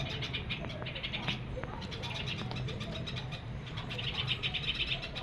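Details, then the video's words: Chicks calling while awaiting their mother's return with food. High, scratchy cheeps come in bursts and grow denser and louder toward the end, over a steady low hum. "Baby birds waiting for Mamma"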